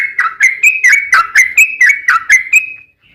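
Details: Sooty-headed bulbul singing to lure other bulbuls into song, a quick series of short whistled notes, each sliding upward and repeated roughly every quarter second, ending in a sustained thin whistle.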